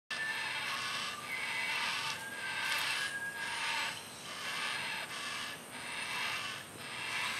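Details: Yellow-tailed black cockatoo chick in a tree, being fed macadamia nuts by its mother, Sydney area: harsh, grating rasps repeated about once a second in steady pulses, with a faint high steady whine throughout.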